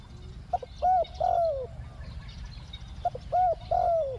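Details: Decoy spotted dove calling to lure wild doves in the two-note 'ku-ang' style: two coo phrases about 2.5 seconds apart, each with short clipped notes and then a drawn-out falling coo, with faint rural background noise.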